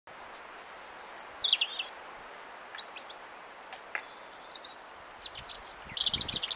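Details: A European robin singing from a blackthorn tree, high thin trills and sharp twittering phrases in short separate bursts with pauses between, over quiet background noise.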